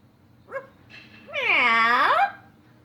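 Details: A pet yellow-naped Amazon parrot, which mimics dogs, cats and chickens, gives a short yelp, then a long, hoarse, whining cry that dips low and swings back up, like an imitated dog or cat.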